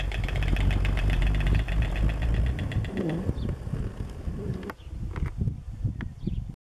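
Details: A nesting pair of white storks (Ciconia ciconia) atop a column at the Roman ruin of Volubilis, Morocco, clatter their bills in a fast, dry, wooden rattle that fades after a few seconds, over steady low wind rumble.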